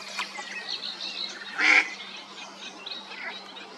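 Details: A female mallard calling for her mate gives a single loud, harsh quack over a steady hiss of background noise and a low hum.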